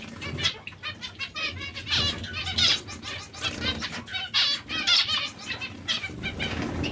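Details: Breeding pairs of zebra finches give busy, nasal chatter of short, buzzy notes and brief phrases, overlapping among several birds, with frequent bursts of fluttering wings.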